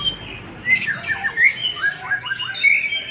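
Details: White-rumped shama, a male, singing: varied loud whistles and squeaky warbles, some sharp downslurred notes and short rising phrases, delivered in quick bursts with brief pauses, over a low background rumble.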